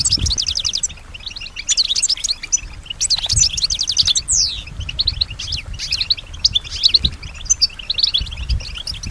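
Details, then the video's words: European goldfinch (female) giving her musical response to surrounding sounds: bouts of fast, bright trills and downslurred chirps, some notes sweeping, with quieter gaps and low rumbling background noise. "Solutions to keep your goldfinch healthy and singing with strong stimulation"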